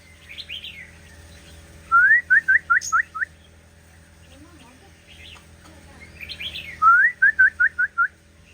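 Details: Shama singing: a warbled phrase, then a rising whistled note followed by a quick series of five or six clear repeated notes, the pattern given twice, with quiet background hum.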